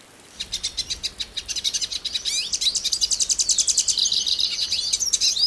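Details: Hooded siskin of Brazil: chirps beginning spaced and soft, building into a steady, rapid, high twittering song with interwoven whistles.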